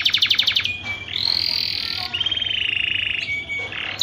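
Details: Canary in mating song, offered as a stimulus for other canaries: a quick buzzy trill, then long sustained rolling notes at two pitches, ending in a sharp whistle and another short trill.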